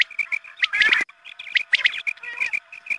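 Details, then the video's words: Chirping quail calls meant to lure quail at dawn prayer time: rapid short notes roughly once a second, interrupted by a harsh noisy burst early on. "Batair mast awaz#Azaan ke waqt ke awaz#batair shekar#batair sound"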